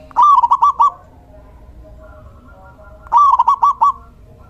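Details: Male local zebra dove, a decoy bird for luring doves, giving two bubbly coo phrases about three seconds apart, each a slurred opening note followed by four quick trilled notes.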